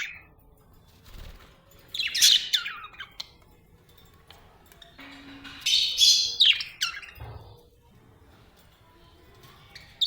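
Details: Happy budgie, an Australian bird, chirping in short bright bursts near two and six seconds, with quiet gaps between and a faint low hum underneath.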